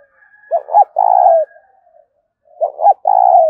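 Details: Repeated 'thúc' cooing of a spotted dove: two phrases about two seconds apart, each a pair of short, swooping, low notes followed by a sustained, vibrating coo, on a quiet background.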